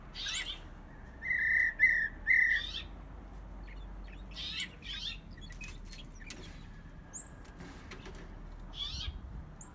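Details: Young captive brown-backed solitaire, taken from the nest and five months old, singing: three short clear whistled notes repeated quickly in a row, followed by faint scattered chirps and a quiet background hum.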